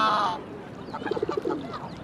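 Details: A black swan on the Round Pond gives its usual high 'ee-oh' contact call, then a quick run of about six soft, low, tuba-like honks of defiance at birds in its way.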